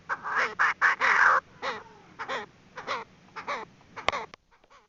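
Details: Female Chinese francolin call used as a trap lure: loud raspy bursts at the start, then spaced, bending nasal notes fading out, with a sharp click near the end.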